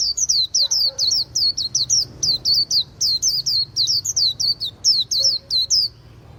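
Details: Continuous rapid chatter of high, thin, hooked chirps from a white-eye, about three notes a second, bright and shrill, with faint low background noise and brief lower tones.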